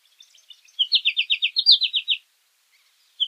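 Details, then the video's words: American goldfinch call: a single run of about twelve quick, high notes in under two seconds, rising slightly in pitch midway, followed by silence and one brief note at the end. "American Goldfinch Song! American Goldfinch Call! - Jilguero Americano canto"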